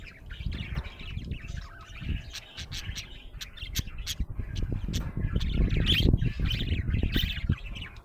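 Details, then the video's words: Budgerigar described as happy, chirping in quick, clipped notes and short twitters, mixed with heavy low rumbling that grows louder toward the end. "Happy budgie chirping sound"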